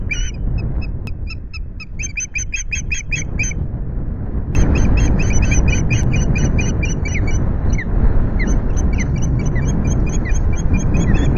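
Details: Evening osprey calls at the Loch Garten nest: long runs of rapid, piercing chirps, almost continuous after a short break, with loud low-pitched wind noise and a few clicks.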